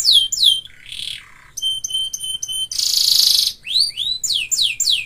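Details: Varied canary phrases from a kenari isian masteran: falling slurs, a lower nasal note, metallic ringing pips, a harsh hissing burst, then rising and falling whistled sweeps.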